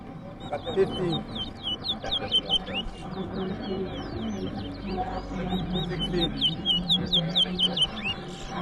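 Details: Towa towa singing in a bird competition at Rosignol, Berbice, Guyana: quick runs of sharp, slurred whistled notes, tightly repeated, with a man's voice counting aloud and steady low background noise.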